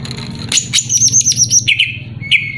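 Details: Greater green leafbird (cucak ijo) song meant to stir up a rival bird: a high, rapidly warbling trill followed by two lower descending whistled notes, over faint low background hum.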